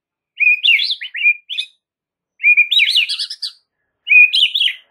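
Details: White-rumped shama song used as a training recording for caged birds: three loud phrases, each opening with a steady whistle before breaking into fast, warbling, up-and-down notes, with short pauses between phrases.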